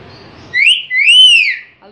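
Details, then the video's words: Pakistani talking myna giving a loud clear whistled phrase, a short rising note followed by a long arched whistle, after low background murmur. "Amazing Pakistani Myna Talking | Talking Myna " ALLAH HU " " ALLAH" etc"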